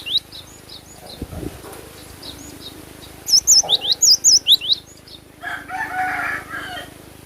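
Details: Cinereous tit, known locally as glatik batu, in full song: scattered soft high notes, then a burst of about nine bright whistled notes swinging between high and lower pitches, followed by a noisy rustling interval.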